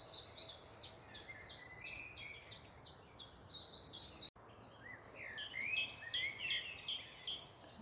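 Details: A Great Tit in a park in spring repeats a strong, bright, high two-note 'teacher-teacher' phrase several times a second; after a brief break a busier, lower-pitched stretch of song follows.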